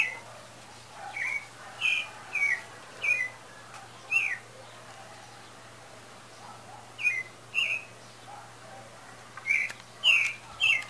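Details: Pale-breasted thrush singing, breeding season believed near: a cluster of five whistled phrases, a long silent gap, then two more and a final fast group of three.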